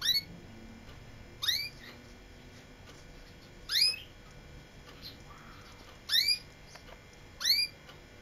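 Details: Canary, called kaneri in Quetta and kept as a singing bird, gives single sharp rising whistled notes, each rich and slurred upward, spaced roughly every one and a half to two seconds, five in all, over quiet indoor hiss.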